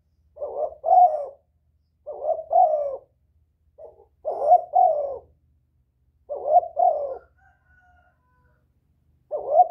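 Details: Spotted dove calling to draw other doves near. Paired hoarse coos sound every two seconds or so, separated by clean silences, with one quieter short note in between.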